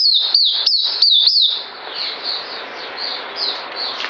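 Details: Caged songbird recorded 9 December 2018 gives five quick, sharp descending whistles in the first second and a half, then trails off into faint, distant-sounding chirps.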